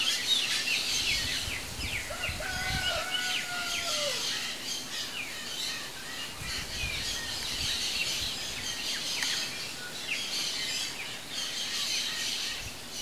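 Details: A Chopi blackbird at a feeder gives a clear, level whistled phrase that drops at the end, over a steady wash of high, quick chirps from several birds.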